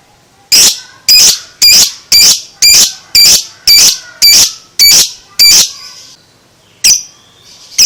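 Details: Two-month-old lovebird giving loud, harsh high squawks repeated steadily about twice a second, then a pause and two more separate squawks.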